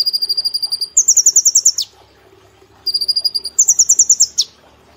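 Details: Tightly joined 'nembak platuk cililin' song of a caged brown-throated sunbird, recorded to train cage birds: a long lower trill runs straight into a higher, faster trill that ends with a downward flick, the pattern repeating after a short pause.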